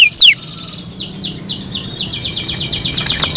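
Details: Canary in the morning: after one sharp loud chirp, a softer, echoing series of high descending notes repeats steadily and quickens toward the end over a faint background hum.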